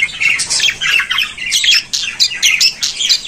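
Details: Budgerigar chatter of raspy squawks interleaved with short whistled pips and clicks, continuous and restless, slightly quieter for a moment near the middle.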